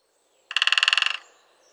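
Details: A single fast drum roll from a great spotted woodpecker: roughly fifteen crisp knocks in under a second, fading slightly toward the end, with faint thin bird notes afterwards.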